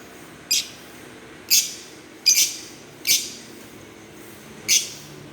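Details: Green Fischer's lovebirds give shrill, bright chirps, five in quick uneven succession, two of them nearly paired, over a low steady background noise.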